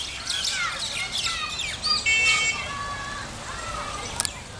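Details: Common myna at Al Majaz Waterfront, Sharjah, UAE, 4 January 2020 at 5:34 PM, gives a varied run of whistles, squeaky notes and harsh chattering in quick succession, with a faint hiss of background noise.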